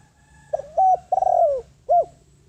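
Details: Spotted dove decoy bird calling to lure wild doves: a low cooing phrase of a short note, a held note, a longer tremulous falling coo and a final clipped note, over a steady low hum.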